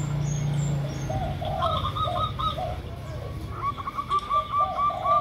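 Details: Local zebra dove (perkutut lokal), offered as a lure recording together with a spotted dove (derkuku): a low hum opens, then rows of short clipped notes, a lower cooing series alternating with a quick higher stuttering run.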